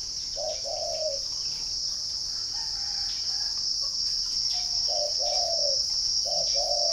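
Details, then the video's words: Spotted dove kept in a garden near Ba Vì, Hanoi, in northern Vietnam: soft two-part coos with a brief note and then a drawn-out falling one, three phrases, one faint higher note between them, and constant cricket-like buzzing. "chim cu gáy"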